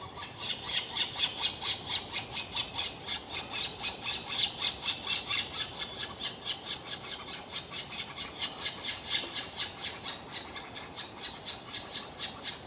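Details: Black woodpecker at a nest hole in a botanical garden, 23 May 2017, as the male feeds the young: rapid, high, squeaky pulses repeated about twice a second in a steady rhythmic chorus, rising and falling in loudness.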